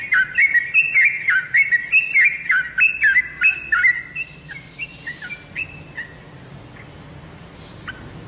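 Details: Lure song of a Yellow-vented bulbul for prompting caged birds to reply: rapid, gurgling whistled phrases for about four seconds, then sparse scattered notes fading into quiet.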